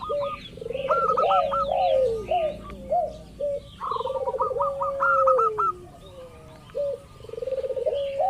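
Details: Local zebra dove, played as a lure to make other doves answer: rapid staccato hooked cooing notes in bursts over softer, longer drawn-out lower coos, with several birds seeming to overlap.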